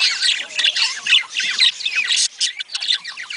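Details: Budgerigars in a sound meant to stimulate breeding: a dense, busy chatter of squawky, scratchy warbles and quick chirps, overlapping voices pulsing unevenly about twice a second with a brief gap near the middle.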